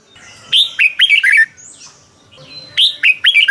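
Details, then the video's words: Red-whiskered bulbul from Thailand, a caged-bird 'bearn' style song used to excite or train caged birds: two bursts of bright, bouncy whistled notes, each quickly rising then falling, separated by a pause with softer slurred whistles. "เสียงนกกรงหัวจุก สำหรับต่อ หรือ เปิดให้นกคึก เสียงเพราะๆ"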